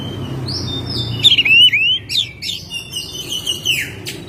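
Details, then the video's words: In May, a home-kept Oriental magpie-robin sings: flat whistled tones, then a run of quick rising slurred whistles and scratchy notes, ending in short bright chips over a soft background hum. "Burung Kacer gacor rumahan spesial bulan mei"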